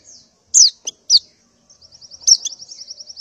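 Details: Morning call of a female white-eye in breeding condition summoning males: three loud high chips, then a quickening train of thin buzzy notes.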